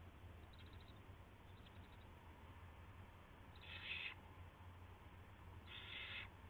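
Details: Owl at a nest before dawn in March 2016, while prey is brought in; faint short bursts are followed by two loud raspy half-second screeches over a constant low hum.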